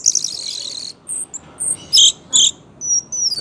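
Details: A dense buzzy trill opens, then spaced bright chirps and a thin drawn-out whistle from an orange-headed thrush in gacor song, swaying drunkenly as it performs.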